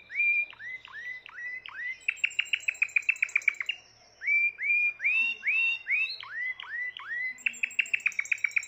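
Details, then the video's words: Timbrado canary, the seventh bird of the keeper's 2020 birds, delivering a long varied song: swooping upslurred whistles, a rapid rattling trill, a short pause, more looping whistles, then another quick trill of bright repeated notes. "تغريد طائر التيمبرادو"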